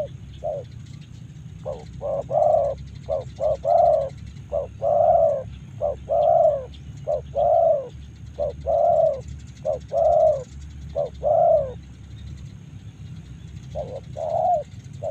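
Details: Spotted dove recorded in Karawang repeating its rhythmic cooing phrase, clipped opening notes followed by a fuller sustained coo, roughly once every two seconds, over a constant deep hum.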